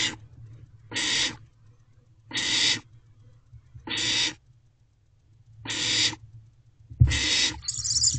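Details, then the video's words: Barn owl owlet in a nest box at 12:28 am on 21 May 2023, swallowing a large rodent: six harsh, broadband hissing screeches, each about half a second long, spaced roughly every one to one and a half seconds, over a low background hum. "#OwletMin Swallowing Large Rodent."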